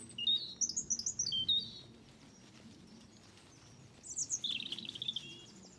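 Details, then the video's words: European robin singing its territory song from an old espalier apple tree in a garden in County Kilkenny, Ireland: two short phrases of high, thin, tumbling warbles separated by a pause, over a faint low hum. "a Robin’s song"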